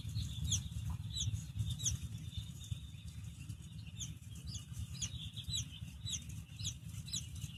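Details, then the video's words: Soft peeps from a baby chick, high and brief, repeated in irregular bursts of two or three notes against a constant low-pitched hum. "Soft Baby Chick Chirping"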